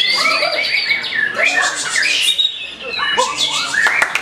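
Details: A white-rumped shama begins to counter a rival, repeating short whistled notes, then loud harsh bursts and sweeping phrases, with one brief lull before the song picks up again.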